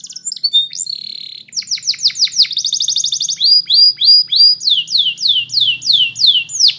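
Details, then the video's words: Belgian canary delivering a rolling series of repeated descending whistled slurs, several every second, shifting through tours of faster and slower notes, with a faint low hum beneath. "Spectacular Belgian Canary"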